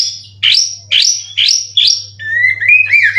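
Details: Contest-winning caged white-rumped shama in Indonesia, 90% form, full 'cililin' material: four loud rising whistled sweeps about half a second apart, then a lower wavering whistled phrase, with a low hum beneath.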